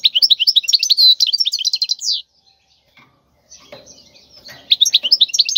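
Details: European goldfinch from the wild singing a tutoring song for young birds: two seconds of quick, ringing twitters and buzzy trills, a silent pause with faint rustling, then the twittering resumes.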